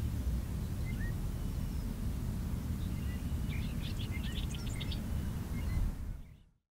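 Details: Bobolink singing in spring over grassland, a brief cluster of bubbling, jangling high notes in the middle of the recording, preceded by a few thin isolated chirps, all set against strong continuous low wind noise that fades out at the end.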